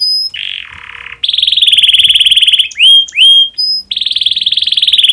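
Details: Canary in breeding condition, its song used to prompt other canaries to start singing: a shrill, continuous rolling trill broken by a lower buzzy tour, two quick upslurred whistles and a brief pause, then the rapid trill again.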